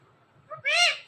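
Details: One of a talking parrot couple utters a short, high, voice-like syllable, then a louder, longer harmonic sound that rises slightly and falls away, against a quiet background.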